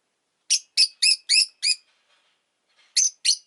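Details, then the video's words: Rosy-faced lovebird chirping: a fast run of five harsh, shrill chirps, each short and rasping with bright overtones, then a brief pause and two more chirps, loud and clear with no other sounds. "Lovebird Chirping Sounds"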